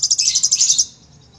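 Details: Sunbird in lively 'gacor' song: a rapid, very high chattering trill of about a dozen sharp notes lasting under a second, then quiet.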